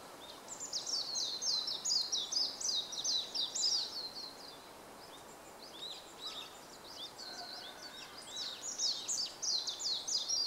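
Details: Warbling white-eye (Zosterops japonicus) singing atop a bamboo grove, 5 April 2014, a rapid, high, twittering warble in long tumbling phrases, with a soft background hiss and faint distant calls.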